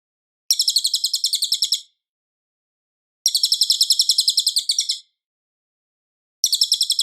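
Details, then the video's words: Loud, clear Cililin song meant for tutoring White-rumped Shama: three bursts of quick, sharp, high chirped notes, each trill lasting one to two seconds, separated by silent gaps of about one and a half seconds, with nothing else audible. "suara Cililin Gacor jernih keras berjeda 10 detik"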